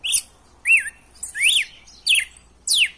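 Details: Red-cowled cardinal, wild-type song used to rouse a caged male into singing: five sharp, clear whistled notes, arching and down-slurred, spaced roughly half a second apart, with a quiet background.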